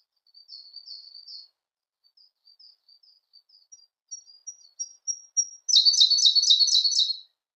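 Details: Siberian blue robin song: quiet, thin high notes spaced out and slowly building, then a loud, fast rattling trill of repeated notes for about two seconds.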